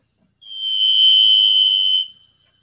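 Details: Varied Thrush vocalizing loudly before heading north: a single long, steady, pure whistled note lasting about one and a half seconds, like a referee's whistle, with a faintly buzzy, ringing quality and no other sounds.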